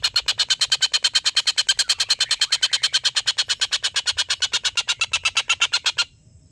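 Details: Extended laughing call from a collared kingfisher, a tutor sound for competition birds: roughly six seconds of rapid, rasping notes at an even pace, ending abruptly.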